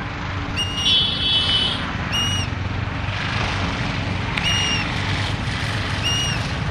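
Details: Indian grey hornbill in Uttarakhand, India, giving high, squealing, kite-like notes, one drawn out then short ones every couple of seconds, over a steady rumble of traffic.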